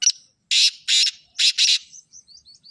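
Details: Black francolin giving its grating call: a clipped first note, then four rough, scratchy bursts with the last two run close together. Soft thin chirps follow at the end.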